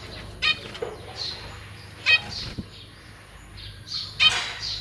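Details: Zebra finch family kept in a cage, parents feeding three juveniles and three new fledglings on 1 May 2023. Three sharp, nasal chirps are spaced about two seconds apart over quiet cage rustle, with a soft wing flutter near the start.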